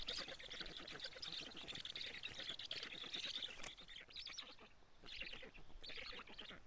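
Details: Black storks at a nest in Karula, Estonia, on a live nest camera, 25 June 2017 at 16:24, as a parent brings food: continuous buzzy, wheezy calls with a rapid pulsed rhythm, rising and falling in bursts.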